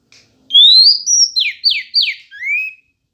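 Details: Female Oriental magpie-robin singing to draw males into an angry reply. A single complete phrase of a smooth rising whistle, a sustained high note, three fast falling buzzy notes and a final lower rising whistle.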